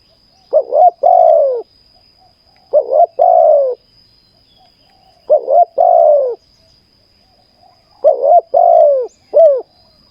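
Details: Spotted dove in a decoy trapping session on the ground, from a Malaysian breeding line. It gives four mellow cooing phrases about every two and a half seconds, each a quick double note then a drawn-out falling croo, some with an added short coo.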